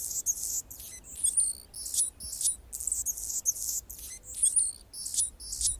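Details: Anna's hummingbird song from a branch in San Francisco's Golden Gate Park, California: rapid, scratchy, very high buzzes mixed with thin squeaky whistles, delivered in short repeated phrases about twice per second with almost no pause.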